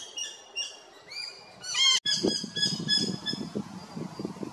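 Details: At Big Swamp Station, South Australia, rainbow lorikeets give shrill, strident calls, rising to a loud screech; after an abrupt break, faint high squeals continue over low thumping knocks.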